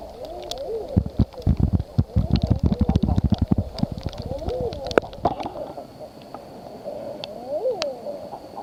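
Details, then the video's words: Common eiders calling: several soft, rising-and-falling cooing notes that overlap in a murmuring chorus. Low thumping knocks are heard through the first half. "SOUND OF A COMMON EIDER"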